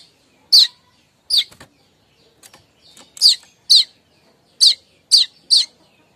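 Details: Kemrecek chatter of a streaked weaver, the call used to lure other weavers; a series of sharp, high, scratchy chips at uneven spacing, with faint wing-like flutters between them.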